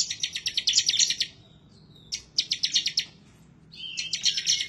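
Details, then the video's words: Bar-winged prinia (ciblek semi) in fierce, nonstop song as if seeking a rival: three bursts of quick-fire high chirps, each over a second long, linked by a faint drawn-out note. "Ciblek Semi, Gacor nembak ngebren ngotot emosi"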